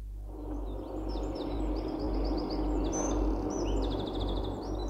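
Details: Eurasian wren, a bird of thickets along riverbanks and streams: a loud, fast song of very high trills and sharp ticking notes, running on for several seconds over a steady low rumble.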